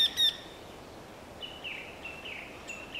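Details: Eurasian wryneck (Jynx torquilla) giving a fast series of nasal, even-pitched 'quee' notes, about three per second, after one louder sharp note at the start.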